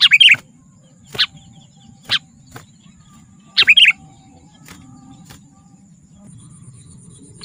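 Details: Sooty-headed bulbul lively gacor song, for luring wild bulbuls and song training: two short bubbly whistled phrases several seconds apart, with a few sharp isolated chirps between them and quiet background.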